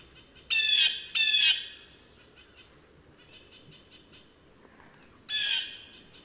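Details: Cyanocitta cristata, the blue jay, uttering two quick back-to-back raspy screeches, then a third after a four-second gap, with soft hiss between calls.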